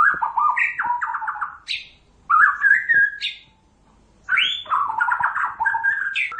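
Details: White-rumped shama of the Pasaman type delivering rich warbled phrases with rattling notes and a high upward flick, broken by brief silences.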